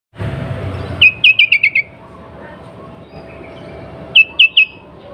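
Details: Female sooty-headed bulbul in breeding condition, calling to prompt males to sing: a quick run of five sharp, downward-sliding chirps, a pause, then three more, over a steady low background hum.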